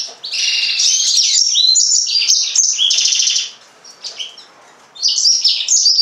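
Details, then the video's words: A yellow-fronted canary delivers a long continuous warble of rapid high buzzy trills and chirps, then pauses about a second and resumes with sharp whistled phrases. "mozambik kanaryası, green singer, serinus mozambicus"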